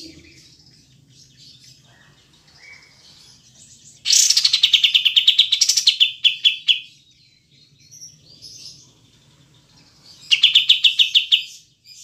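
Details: Kapas tembak (triller) song from a clear, long-pause training recording for cage birds: quiet opening, then a loud rush of fast chirps slowing into separate notes, a pause, and another rapid chirping run.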